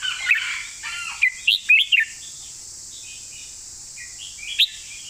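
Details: Master-style song from a caged red-whiskered bulbul: a blurred opening chatter, then four distinct bouncy whistled notes, later a single bright rising whistle, all over a continuous high-pitched hiss.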